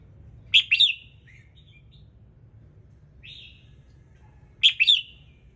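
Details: Red-whiskered bulbul singing in the morning to trigger other birds: two bright warbled phrases of sharp chirps about four seconds apart, with a soft whistled note in between and low background hum.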